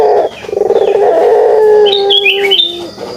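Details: A pelung dove's kugeruk: a rapid burbling run of low notes flowing into one long, smooth, slightly falling coo, with a faint higher chirp near the end.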